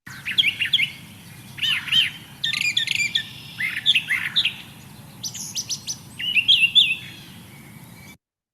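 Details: Brown Thrasher, an early spring migrant returning to Kentucky, sings a varied run of rich, rasping and whistled phrases, each given twice in quick pairs before moving to the next.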